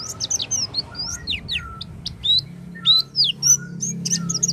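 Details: Oriental white-eye singing, a recording meant to prompt a white-eye that has stopped singing. Irregular bursts of sharp, high, downslurred whistles and thin chips over a steady low hum in the background.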